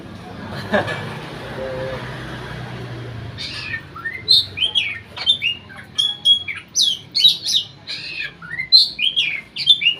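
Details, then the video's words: Oriental magpie-robin from Riau province, Indonesia, a contest bird said never to have lost at provincial-level auditions; after three seconds of near quiet, loud high whistled and slurred notes burst out in quick irregular phrases. "Burung Kacer"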